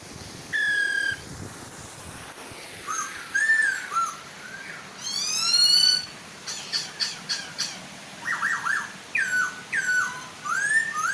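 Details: Chinese hwamei, female and male singing to draw young hwamei into singing, over a soft waterfall: varied loud whistled phrases, sliding and rising notes, fast trills and rapid stuttering bursts, with a steady hiss of falling water beneath.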